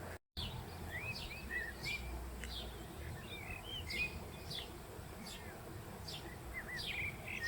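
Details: Colony of Western jackdaws nesting in an ancient Roman quarry: many overlapping short, bent and wavering calls from several birds, mixed with sharp downward notes, against steady low background noise.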